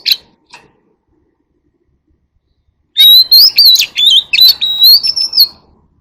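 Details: White-rumped shama in forest-voice song meant to call the flock: two brief notes, a pause, then a rich three-second stream of bright, looping whistles and sharp, scratchy accents.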